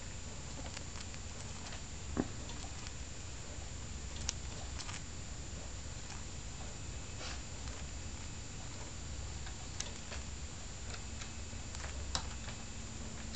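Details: A male pet cockatiel grinds his beak, recorded 5 March 2008, making soft, scratchy clicks and rasps over a quiet indoor hum; the beak movement looks like talking.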